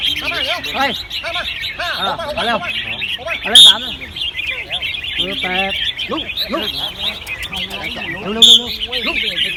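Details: Caged red-whiskered bulbuls competing at a singing contest field at Ban Khao Din, Chonburi, Thailand: a dense chorus of bright, chirpy, warbled phrases from many birds, with men talking throughout and two short electronic beeps.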